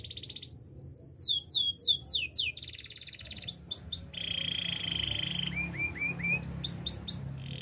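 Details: Canary training song: varied phrases of falling whistled sweeps, buzzy trills and a steady rolling trill with short rising chirps, delivered in quick succession.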